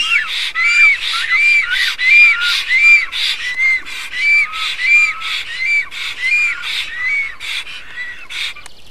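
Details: Pair of black storks greeting loudly during preening and courtship in Estonia, 07/04/2019; repeated wheezy, arched whistles at a brisk even pace, gradually fading toward the end.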